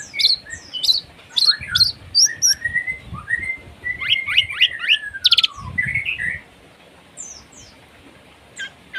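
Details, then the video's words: Long-tailed shrike song, rough and varied: sharp high chips and squeaky notes, a descending whistled slur, a burst of fast buzzy notes around the middle, then fainter chatter. "Cendet gacor ful masteran materi kasar"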